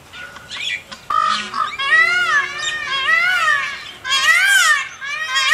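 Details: Indian peafowl calling with loud, nasal, wailing cries, each rising then falling, in a run of rich, overlapping squalls with short gaps between them. A sharp click sounds near the start.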